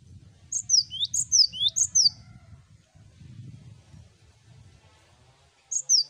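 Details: Several cinereous tits singing together on a master recording meant to prompt birds to sing: high whistled two-note phrases, each sliding down then up, repeated quickly in bursts, over a low rumbling hum.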